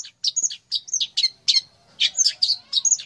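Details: Long-tailed shrike, called a fighter and used as a master bird, gives varied bright chirps and short whistled notes, spaced in quick groups, some rising and some falling.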